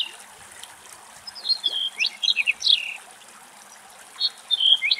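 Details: Black-headed bunting males, fully migratory, singing in Greece on a windy day at long range: a rapid twittering phrase of clipped, bright notes dropping in pitch, then a brief pause and a softer closing fragment, with light background hiss.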